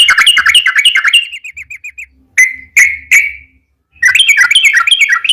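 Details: Yellow-vented bulbul song played as a lure to get other bulbuls singing, described as a female calling a male: fast bubbly chatter, a string of short falling notes, three clear single whistles, then renewed rapid chatter.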